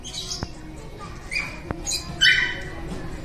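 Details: Green-cheeked parakeets kept at an indoor animal petting school in Matsuyama, Ehime, Japan, grooming one another; a few scratchy squeaks build to one loud grating squawk near the end, with sharp clicks and low room noise behind.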